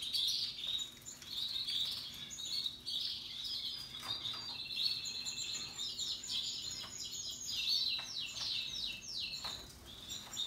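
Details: Canaries, Russian yellow and Timbrado types, singing happily alongside other birds in natural habitat: continuous high twittering trills that rise into fast, descending chirp series toward the end.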